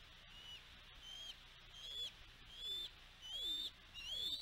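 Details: At a bald eagle nest on Catalina Island, California, USA, on 07.11.2022, as the resident female drove an intruder eagle from the nest, a bald eagle gives about six thin, high, sharply rising whistles, with faint lower sliding notes between them.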